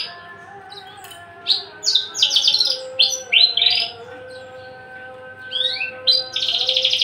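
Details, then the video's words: Tame, unringed Javan bush lark kept in a cage, a male ready for breeding, sings eagerly. It gives quick bursts of buzzy, chattering notes and sliding whistles, then ends with a harsh, sustained rasp. A steady faint hum sounds underneath. "branjangan javanica MH nonring jinak galak siap jadi pejantan gacor dor"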